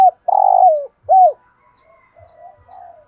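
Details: Spotted dove with a 'thổ sấm' style voice giving varied song phrases. A long, throaty, burred coo is followed by one arched coo, then fainter, softer murmuring coos trail off.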